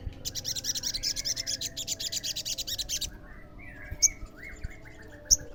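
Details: An olive-backed sunbird sings to provoke other sunbirds into answering: three seconds of rapid, pulsing, high buzzy trilling, followed by two sharp piercing high notes and a series of softer, lower, downslurred whistles.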